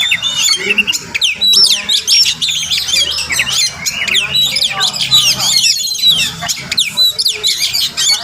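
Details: Wild Oriental magpie-robin singing outside a home in the morning; long stretch of fast, varied chirps, upswept whistles and buzzy notes, dense and melodious, with a faint low drone underneath.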